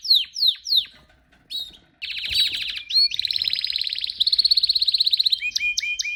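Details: Pet canary singing. Three falling whistles open the song, then a pause, followed by a dense buzzy roll and a long steady high trill that ends with sharp chirped notes.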